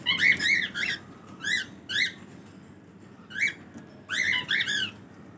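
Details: Cockatiels during their morning routine, giving short chirping whistled calls in scattered bursts of one to three notes, over a steady background hiss.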